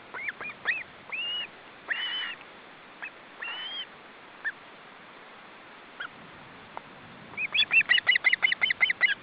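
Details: Ospreys at a nest with three young on a windy day, a parent arriving with fish: scattered whistled chirps and short, slurred calls, ending in a fast run of repeated sharp chirps, with steady wind noise behind.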